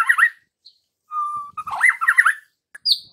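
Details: White-rumped shama song played as a lure to spur young wild-caught birds into full singing; varied whistled phrases with quick rising and falling slurred notes, brief pauses between bursts, a higher thin note near the end.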